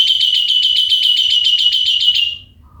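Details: Javan pied starling, a kept bird in Indonesia, delivering a rapid, even run of sharp, ringing notes, about nine each second for two seconds, before falling silent over faint low background noise.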